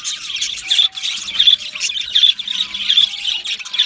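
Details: Loud close budgie chatter: rapid high squawks and chirps with short whistled notes repeated more than once a second, several Australian budgerigars singing together.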